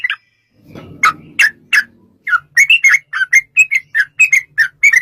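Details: Sooty-headed bulbul in long rapid 'ropel' song used as a lure to make bulbuls sing: a few sharp notes, a low rumbling noise, then a fast run of bright, clipped, chattering notes about three per second.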